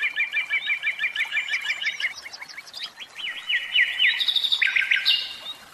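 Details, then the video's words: Caged common nightingale singing: a fast run of repeated chevron-shaped notes for two seconds, then varied whistled and buzzy phrases climbing higher, ending in sharp rapid trills. "Chant Ross.Philomele"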